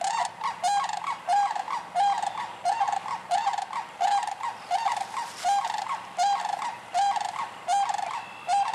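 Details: Sandhill cranes in Michigan, between March and June, call steadily in a series of rolling, trilled notes repeated roughly every three-quarters of a second, with a low background hum beneath.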